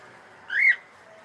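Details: Pet cockatiel saying hello: a single short, rising-then-falling whistled note lasting about a quarter second.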